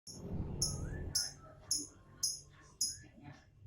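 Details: Lovebird singing: shrill, very high chirps repeated roughly every half second, each a sharp short burst, over a low rumbling background.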